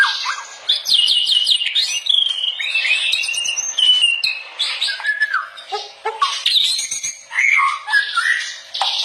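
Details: White-rumped shama (murai batu) in full song, a master recording for training other shamas: a dense, fast run of varied whistles, sweeps and harsh chattering notes, mostly high-pitched, with no pauses.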